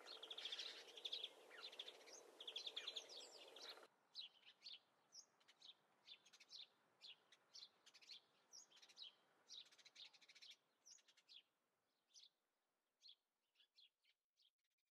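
A dense burst of chattering starts things off, then a greenfinch gives a loose run of short, bright twittering notes, about two a second, slowly thinning out.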